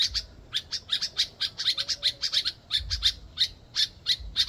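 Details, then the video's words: Pair of birds encountered in Ghana making insistent noises: sharp, scratchy chirps in quick irregular bursts, sometimes doubled, with short gaps between clusters. Quiet low rumble underneath. "I Chanced Upon These Two Birds in Ghana, Making These Noises Relentlessly"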